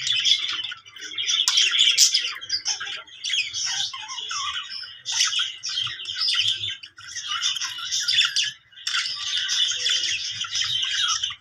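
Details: A budgerigar chatters in a continuous, scratchy warble of rapid chirps and squeaky notes, with brief pauses between bursts; nothing else is heard.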